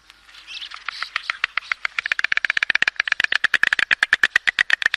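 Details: Stork clattering its long red bill, described as a dry, rapid sound used to communicate, often heard at nests during breeding season: a fast rattling series of sharp clacks, speeding up to about four per second and steadily louder.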